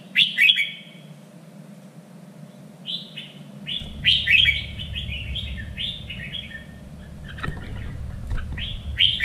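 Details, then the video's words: Red-whiskered bulbul singing for contest training, standard three-region voice: a string of short, clear, downslurred whistles in quick groups, loud chirpy notes at start and end, a low rumble entering partway through. "LUYỆN CHÀO MÀO ĐẤU || GIỌNG CHUẨN 3 MIỀN"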